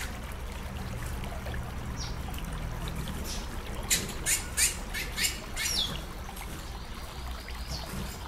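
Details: Female Chestnut-bellied seed finch (curió) calling to stimulate a male, over steady waterfall noise; a quick run of sharp, high chip notes clusters in the middle, then fades back into rushing water.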